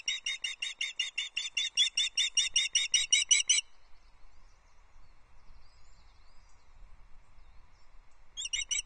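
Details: Nest camera at Loch Arkaig, 14 July 2024: a female osprey calls for fish while on the nest. A steady string of about eighteen shrill, repeated chirps lasts over three seconds, then goes quiet before a fresh burst starts at the end.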